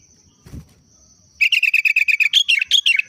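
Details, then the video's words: Kutilang, a sooty-headed bulbul, singing its daily trucuk-like phrase: a fast run of clipped, evenly repeated chirps that ends in higher, rising and falling notes. A dull knock comes before the song, and a thin constant tone runs throughout. "Burung Kutilang √ tapi hariannya Trucuk"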